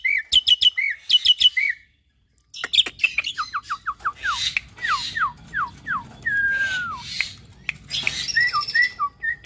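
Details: Singing cage-bred cross of Nias hill myna and Asian pied starling, constantly vocal: a few sharp chirps, a brief pause, then a string of falling whistled slurs, one long descending whistle, and scratchy chatter to finish.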